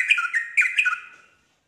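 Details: Short burst of yellow-vented bulbul song meant to draw other bulbuls into singing: a few rich, gurgling warbled notes in under a second, then fading to silence.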